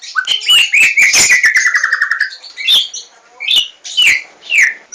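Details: White-rumped shama song used as a lure to get birds singing: loud, varied whistles, fast rattling trills and a long falling slur, then separate bright upslurred phrases.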